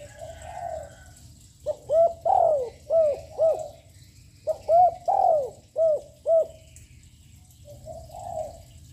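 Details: Young loud-voiced spotted dove cooing continuously to provoke other doves: two phrases of about five arched, hollow coos each, one note drawn out longer, with softer distant cooing before and after.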